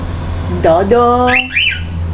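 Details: A young cockatiel just beginning to repeat little whistles gives a few clear, tuneful notes, then two quick rising-and-falling whistled phrases, over a low indoor hum.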